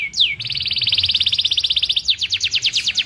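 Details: Canary, tame and singing steadily in gacor manner: one swooping note opens a long, even, buzzy trill of about fifteen pulses a second, followed by slower repeated down-slurred chirps.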